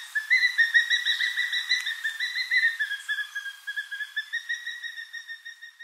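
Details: Crowned eagle in the Eastern Cape near Port Alfred, South Africa, calling with a continuous fast-pulsed ringing whistle that holds a steady pitch for nearly six seconds, the notes fading slightly toward the end.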